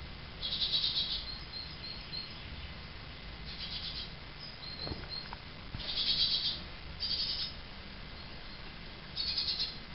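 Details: Great tits nesting in an empty attic, entering under the roof tiles, give high, thin chittering bursts every one to three seconds over a faint, steady background hiss.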